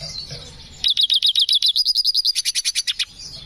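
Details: Rapid string of about twenty crisp, high chirps, evenly spaced and shifting slightly in tone partway through, from a black hooded siskin singing energetically in breeding condition with a unique song style.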